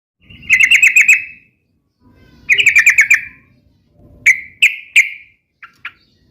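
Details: Sooty-headed bulbul in vigorous song: two bursts of rapid, buzzy chattering notes, each about a second long and about a second apart, then three loud single chirps and two faint ones. A low rumble sits under the first half.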